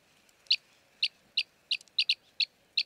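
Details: Eight spaced high chirrups, some paired, from an Arabian green bee-eater in Jeddah, Makkah Region, Saudi Arabia, over faint background hiss.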